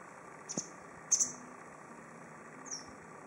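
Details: White wagtail (Motacilla alba lugens) calling from a tree in Goryōkaku Park, giving a few thin, high chirps, one doubled and the last sliding downward, spaced about a second apart over a faint steady hum.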